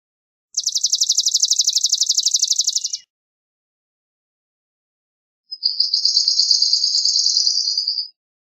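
Swamp sparrow singing two slow, even trills of rapid repeated chips, each lasting about two and a half seconds, the second slightly lower; nothing else heard.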